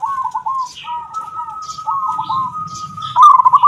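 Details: Local zebra dove giving its kung song, fit for tutoring: soft, broken coo notes under a long steady whistled tone, then a louder burst of cooing at the end.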